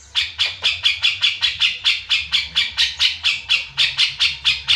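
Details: Grey-cheeked bulbul (cucak jenggot) in lively, energetic song: a steady run of rough, scratchy chattering notes, roughly two or three each second, evenly spaced and loud throughout with no other sounds standing out.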